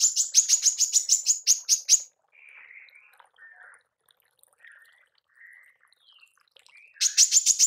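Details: Female manggar used for training songbirds gives tembakan calls: a two-second burst of sharp, high, rapid chips, then several soft warbled notes, ending with another short burst of fast chips.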